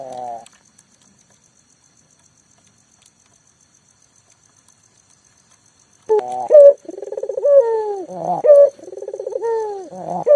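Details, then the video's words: Local collared dove used as a lure for silent doves: a brief coo at the start, six seconds of silence, then a burst of pulsed low coos with sharp higher accents to the end. "burung puter lokal gacor"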